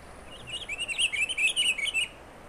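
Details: A pine grosbeak singing in the Cascades gives a rich, rapid warble of slurred whistled notes, rising and falling for about a second and a half over faint hiss; other birds may be in the background.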